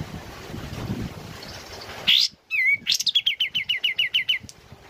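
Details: Sooty-headed bulbul, kept bird, singing in the morning while rain falls: a rising whistled note, a sharp downslurred whistle, then a fast run of about ten repeated high chirps in quick succession; soft rain noise beforehand.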